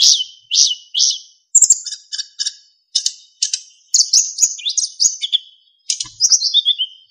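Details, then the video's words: Golden flycatcher song used as master training for other caged songbirds in Indonesia: repeated high sweeping notes, then rapid chattering phrases and clear whistled notes sliding downward at the end. "MASTERAN BURUNG SIKATAN EMAS GACOR FULL ISIAN & SULINGAN JERNIH"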